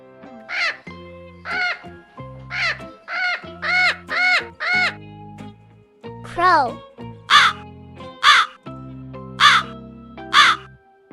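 A crow gives about eleven harsh, hoarse caws, roughly one per second, with a few slurred, downward-bending calls midway, over soft background music.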